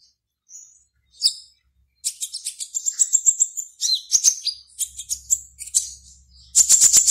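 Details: Singing contest konin (black-naped oriole), caged, from Serang, Banten, Indonesia: a few sparse notes, then fast high chatter and buzzy phrases, closing in a rapid loud rattle.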